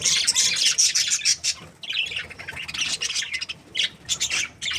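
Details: Budgerigars in a happy breeding pair chirping in a loud scratchy burst, then a quieter pause and renewed choppy squawks and chirps.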